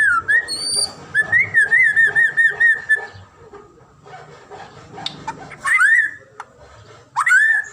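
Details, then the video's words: White-rumped shama, a popular Indonesian cage bird, singing loud whistled phrases: a rapid run of wavering notes near the start, then rising swooping whistles after pauses, with faint background hum. "KICAUAN MURAI BATU INI"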